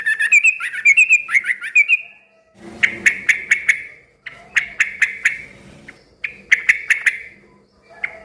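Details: Yellow-vented bulbul singing loudly to draw answers from other bulbuls: two seconds of bubbly, liquid warbled phrases, then clipped bursts of sharp repeated chips in groups of three to five, over a faint low hum.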